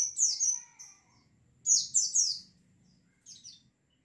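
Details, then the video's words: Flocking white-eyes played as lure therapy for a caged bird: high, thin downslurred chirps in short clusters of two or three notes, separated by pauses of about a second, with a faint low background hum. "TERAPI PANCINGAN BURUNG PLECI OMBYOKAN BIAR CEPAT NGALAS"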